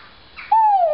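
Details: Great argus pheasant giving a loud, clear whistled note that holds steady and then slides slowly downward for about half a second, preceded by a fainter, softer sound.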